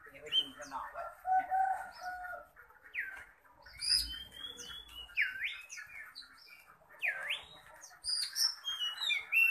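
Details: Oriental magpie-robin in full, aggressive song, ready for competition: a rich medley of whistles, slurred down-up swoops and scratchy notes in quick succession, with brief pauses and faint low background noise.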